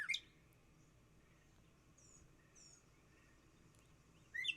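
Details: Northern cardinal song with laser-like 'choo' notes: a sharp, high whistle sliding steeply downward opens the recording and another closes it about four seconds later, with faint bird notes in between.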